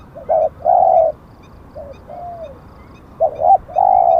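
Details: Decoy spotted dove calling: short rising notes then a long steady coo, a softer gliding falling note in the middle, and the phrase repeated loudly at the end.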